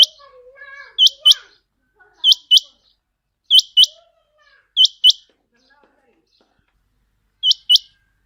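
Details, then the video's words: Quail of the Chinga type, its call used for quail hunting: paired, sharp, bright double notes repeated five times at roughly one-second intervals, then a final pair after a pause, with faint wavering tones early on. "Chinga quail vioce /چنگا بٹیر کی صاف آواز"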